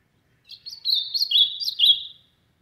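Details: A single loud song phrase from an ultramarine grosbeak in the sertão, made of several linked, warbled notes that sweep up and down for under two seconds, clean and without other sounds.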